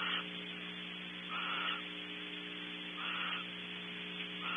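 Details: Barn owls feeding together in a nest cavity at Audubon Starr Ranch, California, give slow, breathy hissing screeches about every 1.6 seconds, softer and more spaced out, over a persistent electrical hum.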